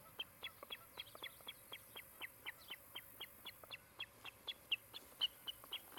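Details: Osprey calling from its nest in Charlo, Montana, one of a pair building a new nest, caught by a nest cam on July 16, 2018: rapid chains of thin whistled chirps, about four each second, some brighter and louder near the end.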